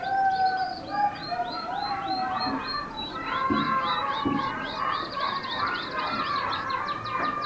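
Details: Roller canary song: continuous rolling trills and sweet whistled notes, pulses repeated quickly in even rows, with a steady, smooth delivery throughout and mild background noise.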